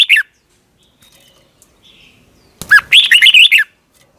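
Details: Thai red-whiskered bulbul song used to tutor young birds: a short note at the start, then after a pause one quick, lively phrase of five or six clear, bouncing whistled notes.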